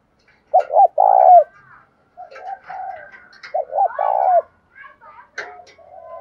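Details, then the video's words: Spotted dove, a captive bird, cooing in the bổi style: two short low hoarse notes then a longer drawn-out coo, the phrase given twice, with fainter softer cooing and clicks between. "cu gáy bài bản bổi nghe khó đỡ nhất hiện nay, khó mấy cũng phải gáy theo"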